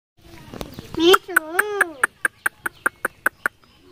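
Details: Indian ringneck parakeet at the Mirpur 1 Friday bird market, mimicking human speech: a few harsh, speech-like harmonic syllables, then about eleven sharp clicking pulses evenly spaced roughly every fifth of a second.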